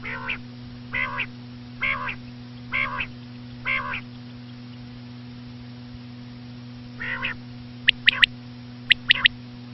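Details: Five soft, nasal, buzzy notes repeat about once a second, then after a pause two sharp high triplets follow, typical common quail phrases, with a low steady hum beneath.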